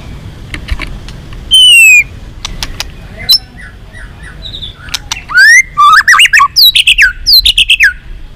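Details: Many-voiced song of a white-rumped shama used to spur rivals to fight: a falling whistle, scattered clicks and soft notes, then a loud rush of upslurred and wavering whistles repeated quickly.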